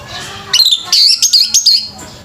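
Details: Orange-headed thrush competing in a bird singing contest gives a fast, bright series of high, buzzy chirps and trills, strung together in rapid bursts for over a second.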